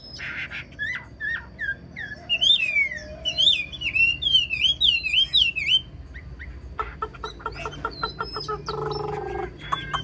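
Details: Wild-caught old Chinese hwamei, kept caged and praised for an excellent singing voice, delivers loud, varied whistled phrases that slur up and down, followed by rapid clicking and chattering notes, with faint background hum.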